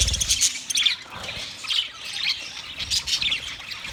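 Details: Budgerigars on 29 February 2024 producing steady high twittering and short chirps in overlapping bursts, fairly even in loudness from start to finish.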